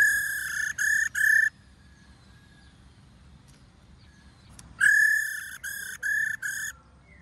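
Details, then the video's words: Female White-cheeked laughingthrush ro call for rousing males to sing: three short nasal notes, a silent stretch, then a longer rasping note followed by three clipped repeats. "KHƯỚU MÁI RO QUÁ ĐỈNH Kích Trống Hót Căng Hót Hay"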